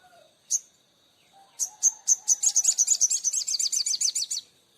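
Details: Oriental magpie-robin in full song: one isolated sharp note, then a quickening run of high, ringing notes that becomes a rapid chattering series of about twenty clipped notes before stopping abruptly.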